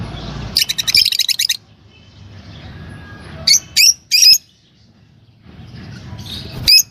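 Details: A pair of normal green Fischer's lovebirds gives a rapid stuttering burst of shrill, high chirps, then three sharp separate squeaks close together and one last chirp near the end, over a soft low background rumble.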